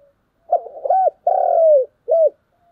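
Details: Morning call of a spotted dove, one full phrase of soft, mellow coos: two short notes, a longer falling coo, then a clipped closing note, with no other sounds.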